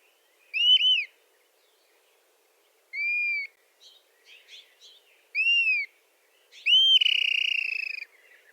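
Dusky-capped flycatcher: clear, plaintive whistles that rise and fall, given about every two seconds, the last drawn out into a rougher tail, with faint soft chips between.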